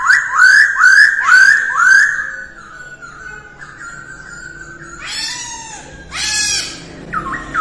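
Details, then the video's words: Female masked laughingthrush training its voice in the early morning: four loud rising-falling whistles, a thin held tone, then two harsh noisy bursts and a short whistled note. "Khướu hót luyện giọng mỗi ngày vào sáng sớm mái ro ro | Masteran Poksay hongkong"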